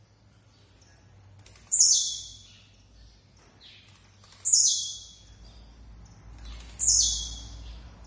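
A blue-black grassquit gives its short, buzzy, descending song about every two and a half seconds, between thin high ticking notes; faint background hum.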